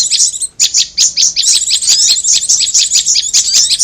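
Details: High, rapid prinia chirping from a bird lure track that also contains korlap: a near-continuous chatter of thin, sharp notes after a brief gap near the start.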